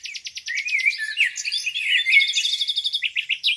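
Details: Several birds singing at a lake on a spring morning: quick repeated chip notes at the start and end, between them jumbled warbling and thin high trills, steady and dense.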